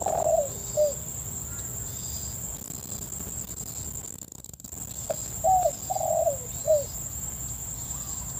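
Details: A decoy spotted dove in rice fields turning yellow, two days after rain, after 4 pm toward dusk, gives soft, mellow coos in groups of two or three over a steady high insect drone, while wild birds call only distantly.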